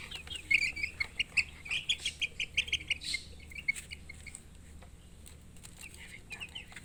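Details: Chirping chicks, the domestic chicken's young, giving bursts of sharp, high peeps, louder in the first half and thinning toward the end, with faint rustling.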